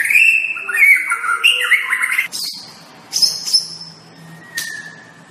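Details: White-rumped shama master song for tutoring caged birds. A loud run of rich, falling whistled phrases gives way to thin high notes and a single clear, level whistle near the end.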